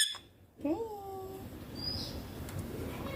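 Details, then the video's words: Young Indian ringneck parakeet at home, mimicking Hindi words like papa and mummy; a short nasal, slightly falling spoken-like phrase, followed by a faint high whistle and room noise. "Baby ringneck parrot natural sounds papa mummy talking clear hindi"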